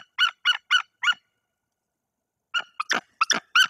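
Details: Four quick ringing yelps, a pause of over a second, then a ragged burst of harsher calls. A brooding female white-tailed eagle is defending her nest in Bory Tucholskie from an unidentified intruder.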